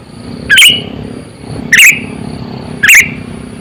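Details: Sooty-headed bulbul lure call, used for trapping wild birds: three short, bubbly, lively phrases of quick rising and falling notes, spaced about a second apart, over low background rumble and a faint steady high whine.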